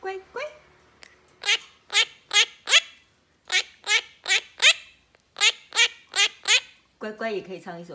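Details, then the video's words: Indoor three-year-old female monk parakeet chattering with her owner: short scratchy squawks in quick bursts of three or four, separated by brief pauses, ending in a lower, voice-like garbled phrase. "和尚鸚鵡說:任信不聽話! 任信乖乖!"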